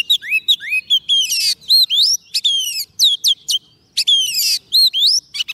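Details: Oriental magpie-robin singing to call wild birds: rapid sequence of slurred downward and upward whistles with occasional buzzy rattles, continuous and varied throughout.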